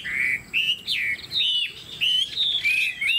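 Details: Chinese hwamei kept as a songbird gives clear, pure whistled notes, some held steady and others sliding down or curling upward, in a series of separate phrases.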